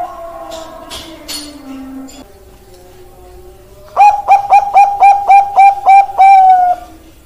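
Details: Zebra dove of the Bangkok perkutut type: after faint indistinct background sounds, a crisp phrase of about eight short clipped coos at even pitch, closing with a longer held coo.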